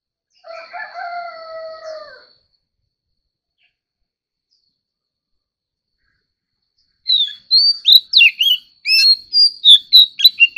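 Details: White-rumped shama, competitive singing: a low steady droning tone first, silence, then a burst of fast sharp whistles and chirps, about ten quick notes over three seconds.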